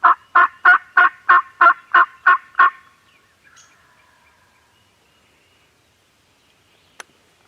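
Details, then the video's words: Turkeys on a farm gobbling into a Canon G7X: a rapid, even train of eight rough, loud pulses over under three seconds, then near quiet with one faint call and a sharp click. "Turkeys Are Gobbling"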